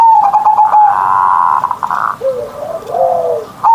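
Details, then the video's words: Morning song of a caged zebra dove, known locally as perkutut: a fast rippling coo, then a sustained buzzy burst, followed by softer low sliding notes that rise and fall. "Perkutut Manggung Gacor Suara Besar"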